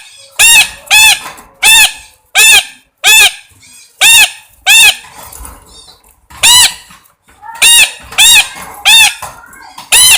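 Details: Parrot giving loud, raspy, harmonic squawks repeated about every half second to second, in steady runs with a short gap midway.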